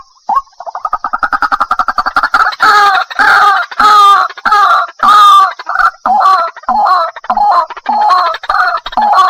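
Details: White-breasted waterhen lure call made for daytime bird trapping: an opening burst of rapid, clipped notes gives way to loud, harsh, strongly repeated croaking calls, roughly two per second, with no other sounds.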